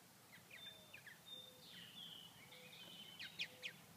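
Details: Cold-weather purple martins at Grand Forks, North Dakota, where the high reached just 39°F and the birds went hungry without flying insects. Not very active. Thin, level whistles and buzzy slurred chatter run throughout, ending with a few sharp chips.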